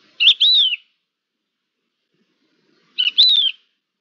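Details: Two short whistled phrases from a Thekla's lark, recorded 5 February 2022. They come about three seconds apart, each a quick burst of notes ending in a clear falling slur.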